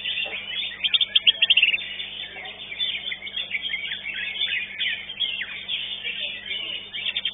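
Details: Greater green leafbird singing in a bird-singing competition at Legok Permai, placed second; dense, rapid chattering warble with quick whistled notes and trills, continuous throughout, with other birds and faint voices in the background.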